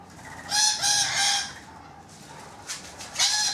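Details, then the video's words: Shrill, grating screeches from rainbow lorikeets visiting a balcony: two loud harsh bursts early, a quieter stretch, then another sharp screech at the close. "Balcony Birds EPISODE 1: Rainbow Lorikeets"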